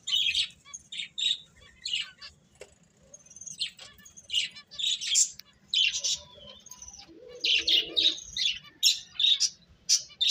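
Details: Small birds chirping in quick, high bursts, short tweets and squeaky notes clustered and overlapping, with brief whistled lines between them and a faint low hum underneath.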